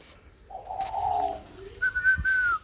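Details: Spotted dove in a box after being bought: a single low husky coo followed by a bright sustained whistled note at higher pitch, with a soft thump.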